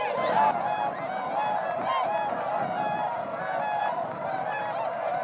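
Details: Swans flying over rice fields at Motono, Inzai, Chiba, Japan, December 2014, in a wintering flock of 905 birds; dense overlapping nasal honks and bugling calls form a continuous chorus, with a few sharper higher notes standing out.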